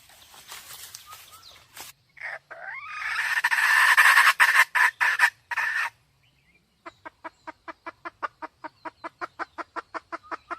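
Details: Red junglefowl hen: a burst of loud harsh noise first, then after a pause a steady run of short, even clucks, about four per second, to the end.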